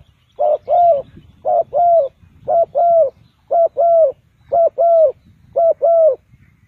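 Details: Spotted dove used as a decoy for trapping birds repeats a steady paired coo, a short note then a longer one, about once a second, six pairs in a row, with light background rustle.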